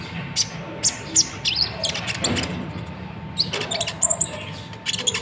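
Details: From Natuna, a konin sunbird kept as a song tutor for other birds, delivering scattered piercing high chirps and brief trills separated by short pauses, with a constant background hum.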